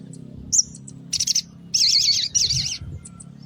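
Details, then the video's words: Mountain tailorbird (sogon pastol) singing in the morning, a recording used to lure small birds: a short high whistle, then buzzy bursts and trilled, wavering high phrases, with a low steady hum beneath. "Sogon Pastol Gacor di Pagi Hari Untuk Pancingan Suara Pikat Burung Kecil Agar Emosi Nyaut Bunyi"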